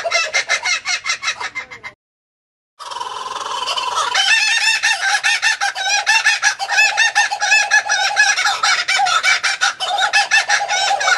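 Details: Laughing kookaburra in a loud cackling laugh. Rapid, harsh, rhythmic chuckles break off into a brief silence, then return as a denser, rolling chorus of overlapping hoots and cackles that rise and fall steadily to the end.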